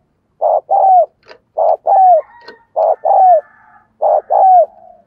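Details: Spotted dove kept as a decoy bird, cooing to spur other doves to call: four repeated low phrases, each a short hoot then a longer falling coo, roughly once every second, with faint clicks between.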